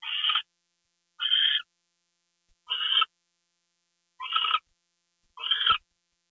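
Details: Owl calling during a nighttime gopher delivery on 2 February 2013, 10:43 PM. Five coarse, breathy screeches of similar length come at uneven gaps of about one to one and a half seconds, with silence between them.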